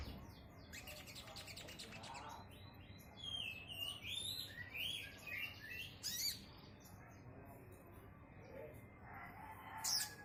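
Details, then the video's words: Brown-throated sunbird: a cluster of sharp, high chirps and quick twittering notes in the middle, with brief bright calls near the start and end, over steady low background hum. "Burung kolibri kelapa||kolibri manggar"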